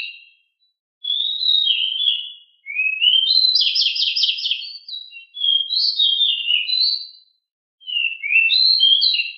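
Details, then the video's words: Master song of a home-kept pied bushchat (decu). A nearly continuous run of whistled phrases includes rising sweeps and a dense buzzy trill, with short breaks between bursts. "decu rumahan gimana gak langsung gacor dengan masteran super ini"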